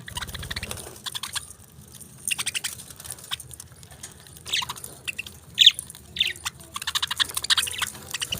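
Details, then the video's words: Budgerigars chirping: scattered bursts of bright, scratchy chirps and chatter, some in quick rattling runs, broken by short pauses, with soft low rustling underneath. "Beautiful Chirping Sounds Of Tiny Titans"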